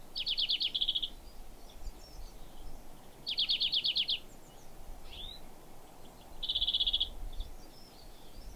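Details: A European greenfinch singing from garden bushes during stormy, rainy weather gives bright, rapid trills in three bursts, each about a second long and a few seconds apart, with a short wheezy note between them, over steady wind and rain.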